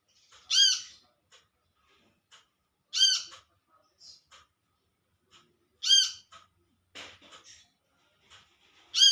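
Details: Olive-backed sunbird calling to companions in the wild, repeating loud, rich, arched calls about every three seconds among quieter chips and ticks.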